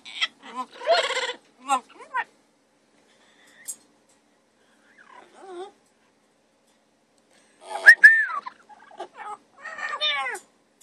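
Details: Two double yellow-headed amazon parrots kept as pets making sparse calls: a burst of harmonic chatter, short whistled slurs, long quiet gaps, then a sharp falling whistle and raspy notes near the end.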